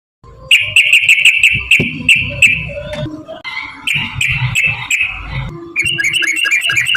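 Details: Sooty-headed bulbul in long rapid 'ropel panjang' fighting-style song: a dense run of bubbly, chattering notes over a sustained buzzy tone, broken by short pauses, with low rumbling noise beneath.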